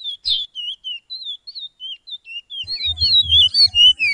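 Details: Chestnut-bellied seed finch, Suriname, in 'pije pije' training song for caged birds: spaced whistled glides, then a denser, louder stretch of overlapping whistles over a low rumble in the last second and a half.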